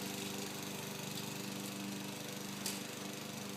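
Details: Steady, loud mechanical droning like a running power tool or engine fills the recording, with no animal voice heard.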